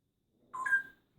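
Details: Single short whistle from an adopted female parrot with plucked plumage, kept indoors, stepping up sharply in pitch halfway through, clear and loud in a quiet room.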